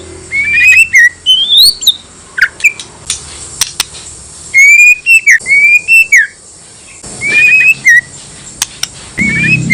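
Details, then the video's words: Male white-rumped shama (murai batu) song played as a lure to provoke other shamas into answering: clear, loud whistled phrases of rising and slurred notes, separated by short pauses, with sharp high clicks between. "pancingan paling ampuh bakar emosi murai lain dijamin nyaut"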